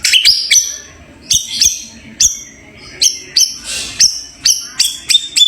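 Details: White-rumped shama described as a champion bird, giving a sequence of sharp, high whistled notes with quick upward and downward sweeps, delivered in short bursts roughly every half second to second over a quiet background.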